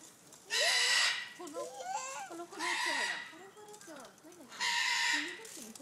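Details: A vulturine guineafowl at Yumemigasaki Zoo, Kanagawa, Japan, gives three harsh, grating bursts about two seconds apart, each under a second long, with people talking in between.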